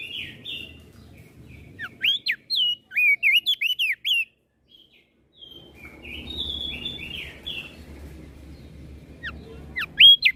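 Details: Flores crested white-eye in full song to provoke rival birds: two bursts of rapid, looping whistles with short chirps between, separated by a quieter stretch of soft twittering and low rumble.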